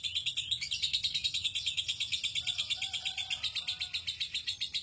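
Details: Steady, rapidly pulsed high trill from a lovebird singing the long ngekek style used in song contests and as a tutor for other birds, with faint lower whistled notes drifting through midway.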